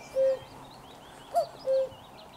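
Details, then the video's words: Common cuckoo at close range, 4 June 2023: a held low 'koo', then a short higher 'cu' followed by another sustained lower 'koo', with soft high chirping of other birds in the background. "Kukanie kukułki z bliska"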